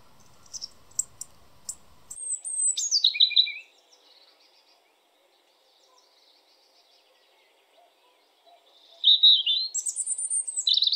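European robin singing two short, high phrases of thin, tumbling, wavering notes separated by a pause; a few faint clicks precede the first phrase.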